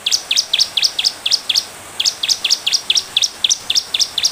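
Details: Lively Bar-winged prinia song played as a lure to draw fast replies from other prinias: rapid bursts of high, sharp, downslurred chips, around six per second, broken by a brief pause.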